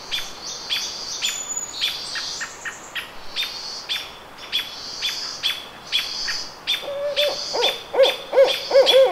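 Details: Barred owl recorded May 17, 2014 at the Squamish River Estuary; high, thin chirps from another bird fill the first part, then a series of low, rolling hoots begins near the end and grows louder.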